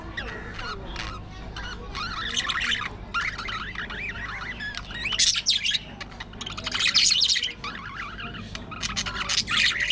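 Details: Aviary colony of budgerigars chattering nonstop: dense, overlapping warbled chirps and scratchy squawks, louder surges around the middle and end, with a faint low rumble underneath.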